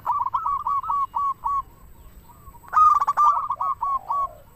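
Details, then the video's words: Local zebra dove in full song, used to lure other doves or prompt them to sing: long runs of short even cooing notes, one loud rolling burst midway, ending in a low soft coo. "Perkutut lokal gacor suara paling ampuh untuk pancingan burung perkutut agar bunyi"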